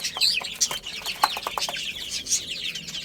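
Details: Little chicks chirping as they play and eat, a crowded flock giving rapid, high-pitched peeping notes that overlap without pause, with occasional sharp clicks and taps underneath.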